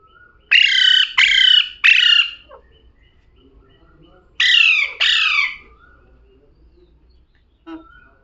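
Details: Three rapid grating parrot squawks, then a pause and a pair of downward-sliding squawks, ending with a faint soft call.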